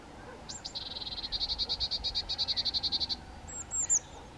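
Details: Long, fast chatter of high yelping notes from two young White-tailed Eagles, some twenty evenly spaced pulses swelling in loudness, followed by a couple of short squeals; light wind behind.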